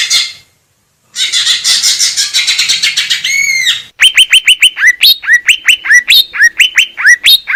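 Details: Greater green leafbird singing, recorded in nature in Indonesia: a rapid scratchy chatter, then a run of clear whistled notes, each a quick downward swoop, repeated about twice a second.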